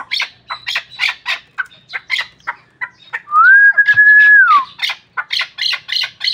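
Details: Pamir hunting chukar partridge giving rapid, uneven bursts of harsh chuckling notes, with a long steady clear whistle cutting through midway before the chattering resumes.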